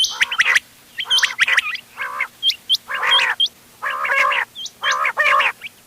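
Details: Hunting lure mix of quail voices, ghungay wal, doghla and changa types, from 31 October 2025: buzzy, nasal notes roughly every second, with sparse sharp upswept chirps between them.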